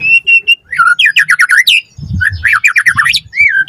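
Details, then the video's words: White-rumped shama song used as a lure to prompt captive birds to respond and sing: clear whistles, then fast rattling series of downslurred notes and sweeping whistled phrases, with faint low thumping in the background. "Pancingan Murai Batu Gacor Auto NYAUT Cepat RESPON Buat Masteran Burung Murai Agar Gacor Full Isian"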